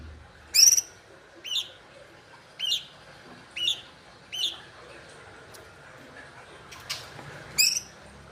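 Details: Sooty-headed bulbul giving short, bright chirps about once a second, seven in eight seconds, with a faint click between them and soft background hiss.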